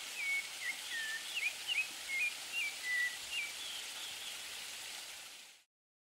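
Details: A Streaked Xenops (Xenops rutilans) in Carmo da Cachoeira, Minas Gerais, Brazil, gives a quick run of about ten thin, squeaky whistled notes, some rising and some falling, over three seconds against a steady hiss.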